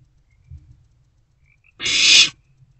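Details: Barn owl owlet inside a nest box around 1:22–1:30 am, 16 March 2024, after prey delivery; a single rasping hiss lasting about half a second follows faint low rustling.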